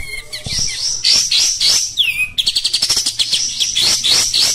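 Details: Oriental white-eye kept as a cage bird in coarse continuous song: high chattering, a swooping whistle, then a quick stuttered trill of about a dozen sharp notes and more twitters.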